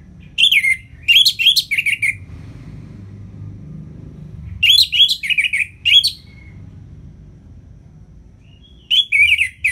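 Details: Orange-headed thrush, ngeplong singing used to coax lazy birds: three loud bursts of rich whistled and chattering notes separated by quiet pauses.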